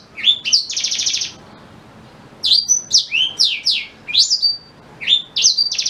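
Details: Song of a black-throated canary, a tutor voice for white-rumped shama: an opening run of fast buzzy trills, a second's silence, then a string of bright downslurred and upswept whistles.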